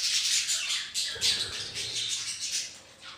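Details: Budgerigars kept as a home colony together with ring-necked parakeets, giving a dense, continuous high chatter of scratchy warbles and squawks indoors, with many birds calling at once.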